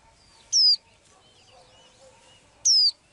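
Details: Blue-eyed little bird's everyday song: two clear, high whistles dropping in pitch, two seconds apart, with soft warbling chatter from other birds in the gap.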